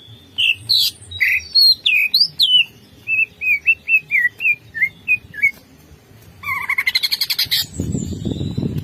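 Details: Greater green leafbird unloading its 'bongkar isian' repertoire: varied looping whistles, then a series of short slurred whistled notes about two per second, a burst of buzzy chatter, and a final rush of broad noise.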